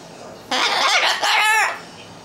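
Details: Pet Umbrella cockatoo kicking up noise and dust indoors because it wants to play: one loud, harsh, drawn-out call in two strongly harmonic parts with a wavering rise and fall, over a quiet room background.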